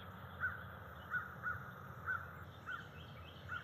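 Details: Bald eagle at a nest tree where two adults perched overnight, early morning, October 12, 2023; thin clear notes repeated about every half second, six calls over steady low rumbling background noise.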